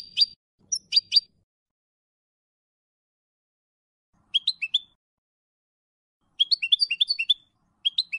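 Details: European goldfinch singing a clean Malaga-style song, recorded for young birds to memorise: short bursts of high, bright twittering notes separated by silent gaps, a few quick chirps early, then two denser twittered phrases.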